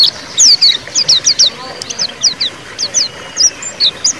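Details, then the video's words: White-eye singing ngeriwik, a lure for silent birds; bright, sharp downslurred chirps repeated in quick succession at a steady pace, with faint low murmuring beneath. "suara pleci ngeriwik pancingan pleci macet bunyi"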